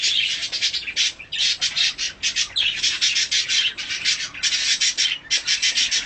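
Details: Tame mutation budgerigar at feeding, giving continuous loud harsh squawking notes in fast repeated runs with short breaks.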